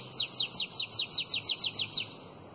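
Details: Bananaquit song in the elongated Belgian style (canto belga alongado), played to tutor young bananaquits: eleven high, thin, down-slurred notes repeated about five per second, then quiet.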